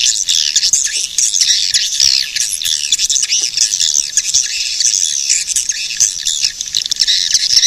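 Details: A continuous high-pitched swirl of overlapping swiftlet squeaks and twitters, with no clear pauses throughout.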